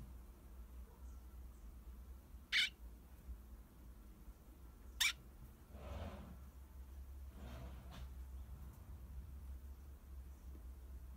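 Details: Pet sparrow set out at the front entrance to sunbathe while a dog barks repeatedly: two sharp, loud, very short chirps about two and a half seconds apart, followed by duller muffled sounds over a low steady hum.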